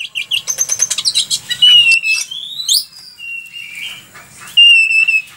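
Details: Oriental magpie-robin (kacer) singing hard for a training recording: a fast stutter of about a dozen short chattering notes, then long, clear sliding whistles and warbled phrases with some rasping notes between.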